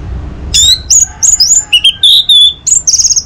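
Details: Orange-headed thrush singing a varied, fast medley of clear whistled notes jumping between high and lower pitches, phrases following each other almost without pause; played in the morning to get other birds singing.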